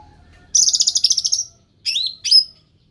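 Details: Ruby-throated bulbul, described as endemic, delivering a fast rattling trill of about a dozen high notes, then two separate slurred, bright whistled phrases, over a faint low background hum.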